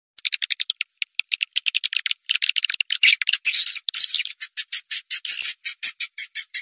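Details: Swiftlet calling sound used to lure swiftlets: rapid series of short, dry, high chirps and clicks, roughly two per second at first, merging into denser buzzy bursts in the middle, then evenly spaced chirps again.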